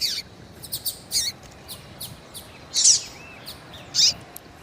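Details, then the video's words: A female rusty-collared seedeater from Brazil gives calls meant to excite a male: scattered high chirps with two louder harsh bursts near three and four seconds, over a soft background hiss. "FÊMEA DE COLEIRO QUENTE CHAMANDO MUITO FOGOSA E PIANDO - ESQUENTE SEU COLEIRO FRIO"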